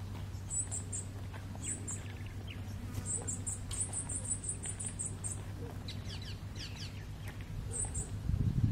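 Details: White-tailed Nightjar in the late afternoon at Cerro El Morro, Lechería, Anzoátegui, Venezuela. It gives very high, thin, short notes in quick clusters with a few lower chirps between, over a steady low hum and background noise.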